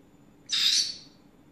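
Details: Green-cheeked conure kept as a pet, chattering in the afternoon: a single loud, harsh screech lasting about half a second, rough and noisy with a fading tail, against a quiet room hum.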